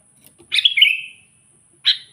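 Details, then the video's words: Vocal sooty-headed bulbul sounding a lure to provoke wild rivals: one rich, gurgling warbled phrase falling at its end, followed after a pause by a short, sharp single note, with a clean quiet background. "suara burung kutilang gacor memanggil kutilang liar"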